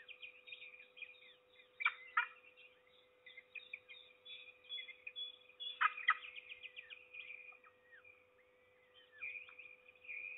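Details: Peregrine falcon at Trzebież, recorded 6 May 2019 at about 7:28 in the morning: two bursts of harsh, loud, rasping notes, a few in quick succession, stand out against busy twittering from other birds and a steady low electrical hum.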